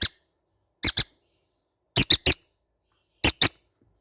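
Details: In a quiet room, baby green-cheeked conures give clear squeaky calls in pairs and triplets about every second and a half, separated by silence.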